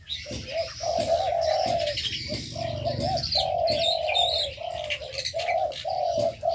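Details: Many aviary birds: a nearly unbroken run of low, rounded hooting notes, about four a second, under a dense layer of high chirping.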